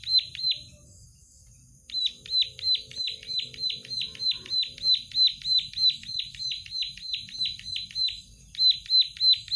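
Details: Plain prinia singing busily: a short phrase, a pause of over a second, then a long even series of high, rasping, descending notes at about three per second.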